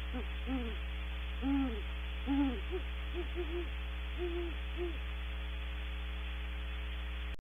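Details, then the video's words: Great horned owls, female then male, leaving a nest cavity at Audubon Starr Ranch, giving low hoots in irregular groups of two or three, some doubled and slightly wavering, over a strong steady electrical hum. "Female then male Great Horned Owl vocals when leaving cavity"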